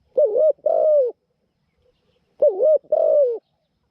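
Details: Caged decoy Spotted Dove used with a trap cage to catch wild doves, praised for a small voice and ready cooing; two phrases, each a dipping short coo followed by a drawn-out, gently falling coo.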